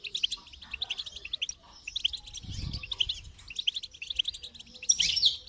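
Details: Fast, jingling goldfinch song in three phrases separated by short gaps, the last ending in a dense, buzzy flourish; a soft low thud appears midway.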